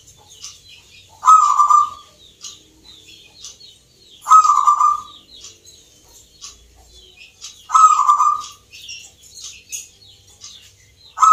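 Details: Local perkutut (zebra dove) competing in a Yogyakarta, Indonesia singing contest: a loud trilled coo about every three seconds, with quieter gaps filled by faint high twittering from other caged birds.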